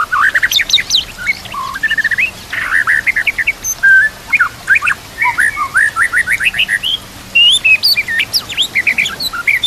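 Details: White-rumped shama (murai batu) song meant for training other murai: a dense, varied stream of quick whistles, chirps and rising sweeps, delivered in short bursts with almost no pauses and with some very high notes.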